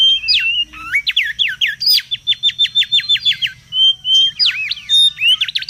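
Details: Noisy wild mangrove whistler used for luring and tutoring: varied whistles leading into a steady run of quick repeated down-slurred notes, a pause with a thin whistle, then more looping phrases.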